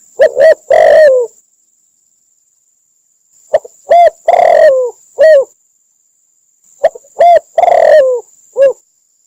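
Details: Spotted dove lure call from Cambodia used for trapping: three separated phrases, each of brief clipped coos, a long falling coo and a closing short note, spaced about three seconds apart, with a thin high tone.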